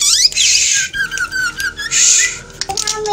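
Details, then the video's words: Black drongo, aggressive, imitating eagle and cat: loud, varied run of rising whistles, harsh buzzy bursts and sweeping notes, with steady low hum behind. "Agressif..!! Ini Progres Srigunting Hitam Tiru SUara Rajawali Dan Kucing"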